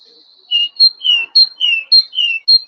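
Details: A great tit sings its ringing 'teacher, teacher' song, an example for learning bird songs around International Dawn Chorus Day: a high note and a lower, drawn note, paired and repeated briskly about four times.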